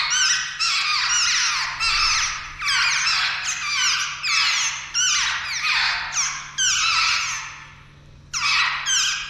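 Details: Nestling jungle babblers close to taking their first flight, calling insistently: loud, rasping, descending squeals overlapping in rapid bursts, briefly pausing near the end before resuming, over a faint constant electrical hum.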